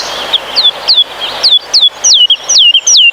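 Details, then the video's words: Woodlark singing in a Polish pine forest, a soft flute-like cascade with 'lilila' motifs: clear whistled notes slide downward, each about 0.4 seconds apart, quickening toward the end and growing louder. Faint background hiss. "Listen to this fluid forest lullaby that can stop time."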